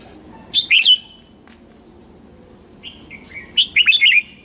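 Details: Morning song of a red-whiskered bulbul, used to train young white-cheeked birds. Two lively phrases of slurred, chirpy whistles about three seconds apart. The second phrase is longer, with several quick descending notes.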